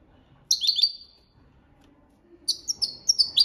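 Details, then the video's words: European goldfinch in copia Malaga training song: a bright rolling twitter, a pause, then a lively series of sharp high chirps rising in energy. "Jilguero Cantando la copia malaga _ Goldfinch bird singing the wonderful sounds for training songs"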